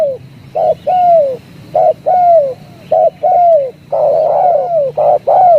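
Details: Spotted dove giving loud, repeated cooing notes, each a short low coo followed by a longer falling coo, in an irregular run of about eight phrases with brief gaps; low background hum.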